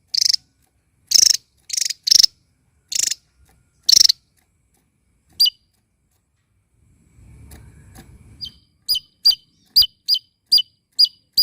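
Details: A small bird sings loudly while dancing. Harsh buzzy bursts come first, then a pause with a faint low rumble, then a steady run of sharp, high, downslurred chirps.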